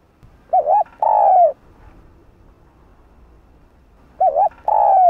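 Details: Spotted dove lure call to provoke rival doves: a soft, low cooing phrase, a quick wavering double coo then a longer falling coo, repeating after about three seconds of near silence.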